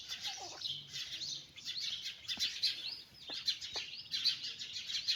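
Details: Chicks out with a mother hen keep up a lively chorus of piercing, quick peeps, some notes sweeping up or down, with a few sharp clicks among them.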